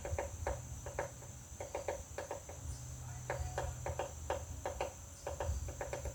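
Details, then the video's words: Woodpecker tapping a butterfly house in quick doublets and triplets of hollow knocks, repeated steadily throughout, with a soft low hum and a high constant whine. "Woodpecker pecking butterflies house"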